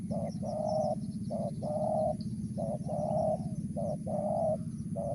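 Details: Mersik-style call of a Spotted dove: each short coo is followed by a longer rounded coo, repeated steadily about once per second, with a continuous low hum behind.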